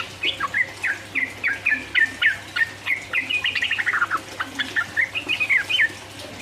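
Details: Sooty-headed bulbul in full song, a ropel 'uplik uplik' style used to provoke rival birds: quick chattering run of short whistled notes near the middle range, slurred and rising-falling, in bursts over six seconds, faint low hum beneath.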